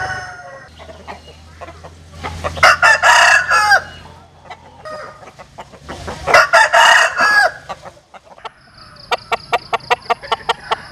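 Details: Cock crows from Vietnamese and American Sil roosters: two loud, rich multi-syllable crows separated by a pause, followed by a rapid series of sharp clicking taps and a steady low hum throughout.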